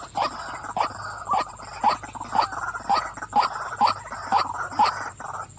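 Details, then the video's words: Female white-breasted waterhen repeating a coarse, throaty 'wak' call close to twice per second, each note short and clipped, with a high steady hum in the background. "burung wak wak betina suka memanggil"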